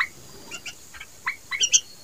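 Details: Bulbul chick calling: a scatter of short, sharp chirps and squeaky notes, some rising, heard in loose bursts over about two seconds against a quiet background.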